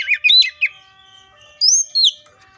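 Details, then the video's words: Oriental magpie-robin (Copsychus saularis) giving a brief burst of rich slurred chirps, then two clean high whistles, over faint steady background tones. "BIRDS COPSYCHUS SAULARIS 3 SECONDS AGAINST AUTO EMOTIONS!"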